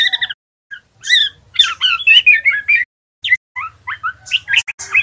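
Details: Immature male white-rumped shama learning ngeriwik: doubled chirps open the clip, followed by a rapid, squeaky jumble of twittering notes, a pause, then scattered rising whistles and chips.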